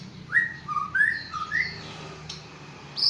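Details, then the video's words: Award-winning Aceh white-rumped shama giving a short phrase of clear, sweet whistles that step up and down in pitch, then a pause and one sharp high note at the end. "Murai batu Aceh Prestasi"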